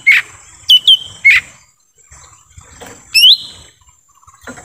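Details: Lesser green leafbird in forest, used as a lure for wild birds: two short falling whistles and two harsh chirps, then after a pause one long upward-slurred whistle.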